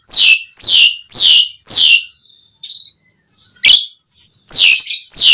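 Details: Asian pied starling calling to lure other starlings: a series of loud, sharply descending whistled notes repeated about twice per second, broken by a quieter thin whistle before the descending notes resume.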